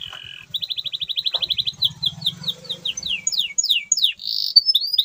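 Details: Canary song intended to stimulate silent canaries: opens with an even pulsed trill, shifts into fast descending whistled notes and a buzzy burst, low hum beneath.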